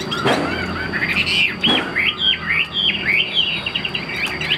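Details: Chinese hwamei in a cage delivering a quick chain of slurred, zigzagging whistles, with two sharp knocks near the start and faint background noise.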